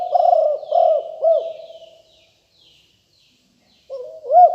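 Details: Aggressive-strain spotted dove recorded as a decoy sound: a phrase of low cooing notes with rolling inflections, a pause of nearly two seconds, then the next phrase begins. Faint high bird chirps in the background.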